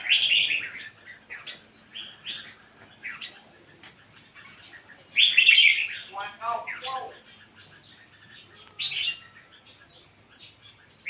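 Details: Spirited red-whiskered bulbul song in scattered short warbled bursts, with one louder phrase midway, over faint background chatter and quiet gaps.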